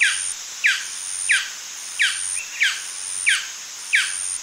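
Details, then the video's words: A male golden dove gives yapping calls: sharp, high, clipped, downward-slurred notes, about one every two-thirds of a second, with a faint steady hiss behind. "Golden Dove. MCU Calls (Yapping) From A Male."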